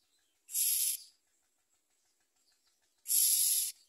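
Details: Common myna babies in the nest with the mother, eating less and wanting to bite her; two drawn-out, breathy, scratchy rasps separated by a quiet gap of about two seconds.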